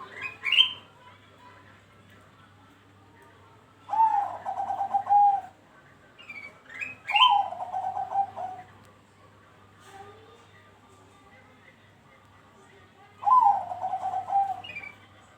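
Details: Bangkok-type zebra dove song used as a lure to prompt other zebra doves to sing. Four soft, rapidly pulsed cooing phrases, each about one and a half seconds, spaced several seconds apart, with brief higher chirps from other birds between them.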